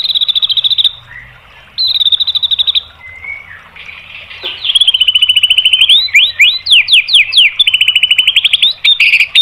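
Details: Song of a white-rumped shama used to provoke other birds: short high rattling trills, a pause, then a long run of rapid notes that breaks into loud sweeping whistled slurs and more trilling.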